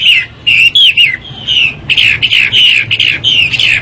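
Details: Morning song of a Chinese hwamei, strong whistled notes that slur downward and upward, one longer drawn-out whistle midway, then a fast run of short ringing phrases.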